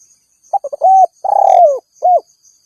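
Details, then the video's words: Spotted dove calling to challenge rivals, a call used to lure wild doves: a few short staccato coos, a level mellow coo, a long purring coo sliding downward, then a brief arched note, in quiet surroundings. "Suara Burung Tekukur Memanggil Lawan"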